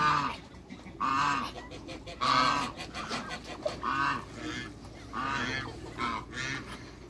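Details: Repeated loud nasal honks from African geese, three birds kept on a waterbird farm in Greece, calling roughly once a second in an uneven series as they are met.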